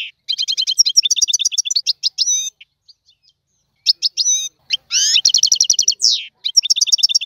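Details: Goldfinch song in tiwawati style, a dense run of high tinkling chirps and metallic trills broken by a short quiet gap, then resuming with a sweeping rising note and fast repeated twitters.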